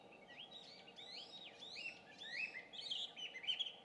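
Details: Dawn song of a Chinese hwamei near a home in Japan in June, heard daily at dawn and dusk: rapid repeated whistled phrases, rising and falling slurs about one and a half per second, over faint steady noise.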